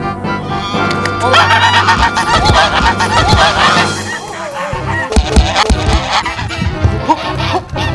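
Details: Domestic geese, four guarding their grandma, aggressively attacking a film crew of strangers; loud harsh honks in rapid irregular bursts, several birds overlapping, with background music throughout.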